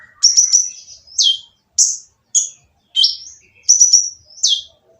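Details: Loud, rough sunbird singing meant to stir other birds into song, with thin high trilled notes alternating with sharp falling chips, each phrase separated by short pauses.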